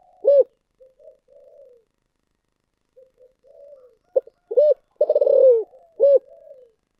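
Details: Thổ sấm style coo of a spotted dove: a loud rounded hoot, soft murmured notes, then a clipped note, a hoot, a long pulsing descending coo and another hoot, repeated in phrases.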